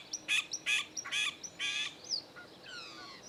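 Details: From a group of three chopi blackbirds at a farm in the Caatinga of Bahia, Brazil: four quick, rasping, broadband notes followed by a rising-then-falling whistle and softer trailing slurs.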